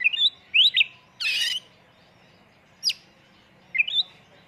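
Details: Oriental magpie-robin lure song, full-filler 'tembakan' style: brief rising whistled slurs separated by pauses, with one harsh hissing burst and a sharp high note between them.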